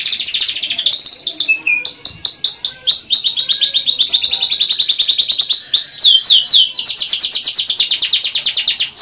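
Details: Sustained canary song of fast, bright trills and rattling rolls, shifting between tightly pulsed phrases and smoother buzzy passages without a break.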